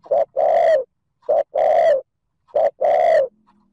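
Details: Cooing spotted dove, 'thúc gù' style used to lure and excite wild doves; a steady series of three phrases, each a short hoarse note then a fuller drawn-out hollow coo, regularly spaced with quiet gaps and a faint hum afterward.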